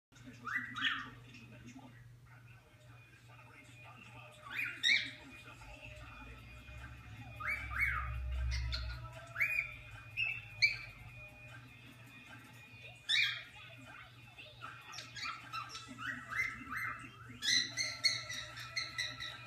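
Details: A female cockatiel gives bursts of sharp, rising whistles and chirps over a low indoor hum.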